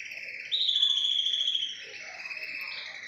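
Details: Tricolor Belgian canary singing a long, unbroken run of pure whistled tones held at steady pitch, shifting smoothly between notes in a flowing, rolling song.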